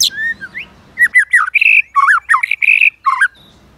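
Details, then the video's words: White-rumped shama singing a many-voiced fighting song used to provoke rival birds, with continual clicking and tail flicking: a short whistled phrase, then a dense run of loud fluty, warbling and harsher notes in quick succession. "Chòe lửa kích lửa CỰC HAY-NHIỀU GIỌNG ,tạch liên tục đập đuôi kích chòe lửa lên lửa hót đấu."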